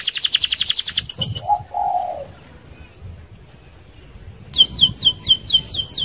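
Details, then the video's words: Canary song for luring other canaries: a fast trill and low rounded notes, a quiet pause with faint low rumble, then repeated downward-swept whistles. "SUARA KENARI Gacor Roll Sped Mantap - Cocok Buat Pancingan Kenari Anda."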